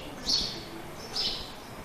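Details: Wild house sparrows living in a barn at a zoo in Billings, Montana, in summer, give short, bright chirps, two or three brief bursts about a second apart, against a low background murmur.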